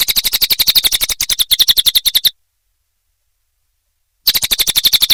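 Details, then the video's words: Cililin training song for cage songbirds, made of rapid, sharp, high-pitched chirps in quick succession, briefly uneven near the middle, then a long silent gap before the chirping resumes at the same pace. "Masteran Burung cililin"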